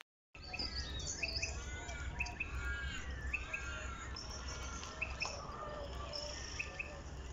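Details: Several birds singing among bushes on a foggy morning at Point Walter, with overlapping whistled and chirping phrases, short rising notes and trills against a steady low rumble of background noise.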